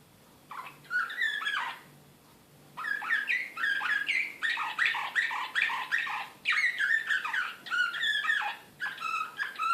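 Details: Excited Serbian Slavujar-style canary, Belgrade 2016: a brief burst of song, a pause, then long varied phrases of quick chirps, rolling trills and swept notes with short breaks, over a soft mains-like hum.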